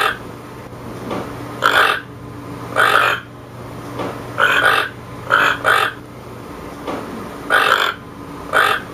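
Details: Toucan producing some ten hoarse, grating croaks, some doubled, at irregular intervals, with a faint continuous hum.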